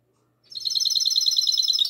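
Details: Goldfinch hybrid, recorded 22 March 2020 at night, launching straight into a fast, even trill of high, twittering notes repeated many times a second in classic song style.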